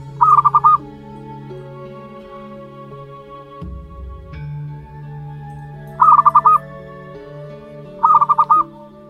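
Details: Young zebra dove of local wild stock, one month old, calls three times in short runs of five quick pulsed notes, separated by long pauses filled with steady low droning tones.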